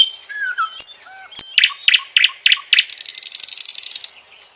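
A common nightingale sings a varied phrase: a few pure whistles, a run of harsh repeated chunky notes, then a fast, high, rattling trill.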